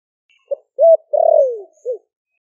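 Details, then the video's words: Single deep coo phrase of a Ninh Thuận spotted dove, a captive wild-caught bird of four months, 'thổ đặc' voice for luring doves: a soft pip, a steady coo, a long slurred fall and a short end note. "Cu gáy kích bổi nhanh nổi GIỌNG THỔ ĐẶC ( THỔ SẤM )gáy gọi bổi về,cu gáy ninh thuận bổi 4 tháng lồng"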